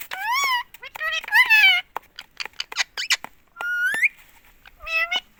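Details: A pet green parrot, apparently an Indian ringneck, talking nonstop, saying "mummy": high, squeaky, harmonic-rich syllables, two short word-like phrases, then a rising nasal note and a falling one, with clicks between.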